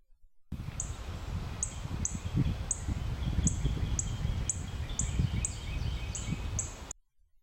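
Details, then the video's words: A Northern Cardinal in the Virginia–Carolinas region gives its call, sharp, high single peep notes, about ten in a row, spaced under a second apart, over a steady low wind-like rumble. "A cardinal's call is just a single note like a peep."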